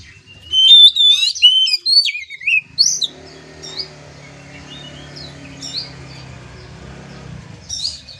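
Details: Oriental magpie-robin song used to train a young kept bird: a burst of rich whistled, slurred and trilled phrases for nearly three seconds, then scattered faint high notes over a steady low hum.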